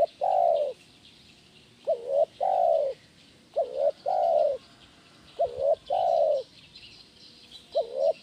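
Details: Tekukur, the spotted dove, repeating its kuk 1 gacor phrase as training audio for birds. A short paired coo and a longer sustained coo come four times in steady succession over a faint high twittering.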